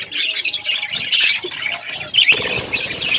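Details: Parrots chirping while eating food, recorded February 25, 2024: dense, overlapping high twittering chirps in short bursts, with a brief pause before a louder burst near the end.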